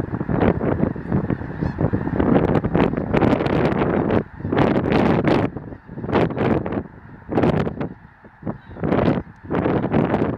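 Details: Huge flock of migrating snow geese along the Missouri River valley at Chamberlain, South Dakota, recorded from a campground on March 24, 2013; dense, continuous clamour of overlapping nasal honks and yelps, rising and falling in loud waves.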